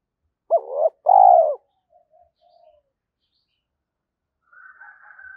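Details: Spotted dove calling as a lure: one two-part coo, short rising then long and falling, followed by faint soft notes and a thin higher chirping at the end.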